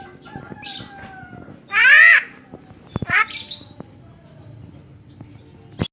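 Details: Tame Javan myna voicing a loud harsh nasal squawk, then sharp clicks and a shorter raspy call, with faint background noise.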